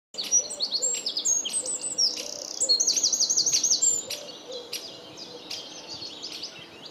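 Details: Eurasian wren singing loudly: a rapid string of high, thin, sharp notes and chips, then a fast ringing trill held for about a second, followed by quieter scattered high notes, over a soft background hiss.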